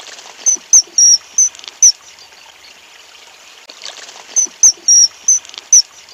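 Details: Common Kingfisher feeding its young, giving two bursts of five shrill, piercing high whistles, about three per second, over a steady trickle of running water.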